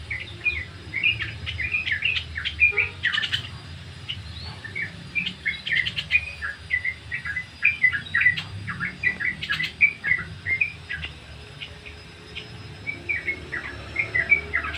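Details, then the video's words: Sooty-headed bulbul giving ngriwik song, used to train birds: a long run of bright chirps and quick upslurred twitters in uneven bursts, with a soft low hum underneath. "Suara Ngriwik trucuk"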